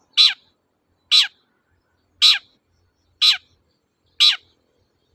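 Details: Long-tailed shrike singing in the 'toet-toet' manner, used to coax quiet shrikes into song; six short, rasping notes that drop in pitch, spaced roughly one per second, against a clean silent background.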